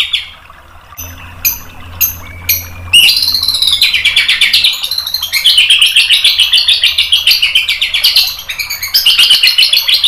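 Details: White-rumped shama tutor song to prompt an answer: a few spaced sharp chips, then a long fast run of warbling, rolling notes that rise and fall continuously.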